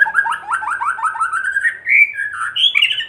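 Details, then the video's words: Provoking kretekan of a white-rumped shama: a fast rattle of repeated rising notes, then clear sliding whistles and a final bright phrase. "Kretekan murai batu gacor AMPUH memancing murai batu agar EMOSI"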